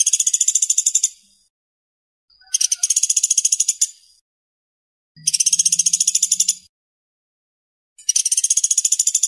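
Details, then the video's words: Pelatuk bawang and pelatuk beras woodpeckers combined with tengkek buto for training murai, kacer and cendet: four separate bursts of dry, high, rattling trills, each about a second long, with silent gaps between them and a faint low hum during one burst. "TENGKEK BUTO PELATUK BAWANG & PELATUK BERAS UNTUK MASTERAN MURAI, KACER, CENDET"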